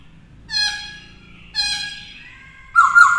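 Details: Black-throated laughingthrush in a cage, singing to teach a young bird. Two soft, harmonic whistles drift downward, separated by a pause, and a sudden loud whistled burst closes the clip.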